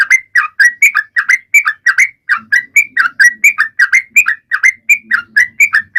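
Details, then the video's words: Energetic sooty-headed bulbul song aimed at prompting other birds to sing, quick chattering two-note phrases rising then falling, steady pace over six seconds, faint soft low murmurs in the background. "Trucuan gacor!!mancing burung lain ikut bunyi"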